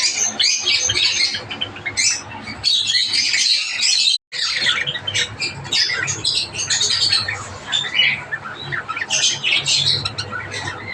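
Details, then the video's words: Java sparrows, named Java finches, keeping up busy, high squeaky chatter from several birds, with a very short cut to silence near the middle before the chirping resumes. "great Java finches birds"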